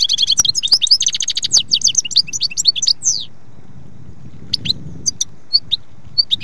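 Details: European goldfinch (Carduelis carduelis), a small colourful finch: a dense, rapid run of high twittering and buzzy trilled notes for about three seconds, then sparse single chirps, over a low rumble.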